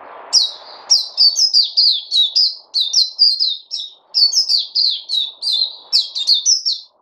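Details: A songbird delivers a long, lively series of sharp, high chirps, many falling in pitch and grouped in quick clusters, after a short burst of low noise at the start.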